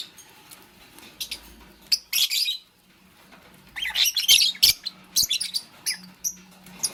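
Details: Fischer's lovebird, a green bird kept with a pastel one, chirping while making a nest: harsh, high scratchy chirp bursts in irregular clusters, a longer burst near the start and a denser run in the second half, over quiet indoor background.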